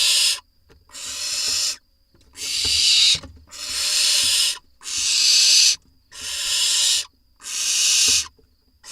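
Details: Barn owls in an Israeli nest box in early July 2021, as parents drop off voles: a series of seven coarse hissing screeches, roughly one a second, with faint knocks and rustles under them.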